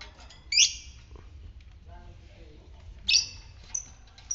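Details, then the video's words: Lovebird, fighter type, recorded as a lure to rouse other lovebirds into long trilling; two loud harsh squawks a few seconds apart, with soft scattered chirps and low murmuring between them. "Pancingan lovebird ngetik fighter merangsang ngekek"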